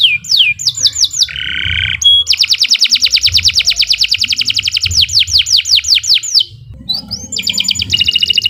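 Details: Canary (kenari) master song for training birds: down-slurred whistles, a buzzy low note, a long fast rattling trill into more falling whistles, then a closing trill.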